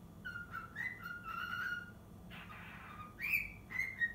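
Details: Six-month-old pet cockatiel practising the Totoro tune indoors: clear whistled notes, steady and gently rising in steps, with a few rougher breathy sounds midway and higher sliding whistles toward the end.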